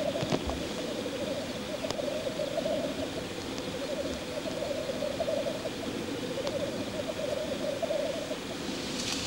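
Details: Courtship display of black grouse at the lek: long, wavering bubbling phrases that roll on and on, pausing briefly now and then, over quiet rural background.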